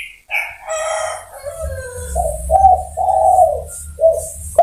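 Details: Spotted dove calling to other birds, preceded by a rooster crowing at the start; the dove then gives short hollow coos and a longer drawn coo over a low background rumble.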